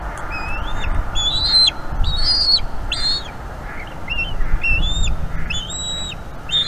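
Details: Eaglet of a bald eagle pair calls constantly during a feeding by its mother at a Florida nest cam, 5 May 2021 around 8 PM; a rapid string of high, sliding chirped whistles, some bent and broken, over faint background hum.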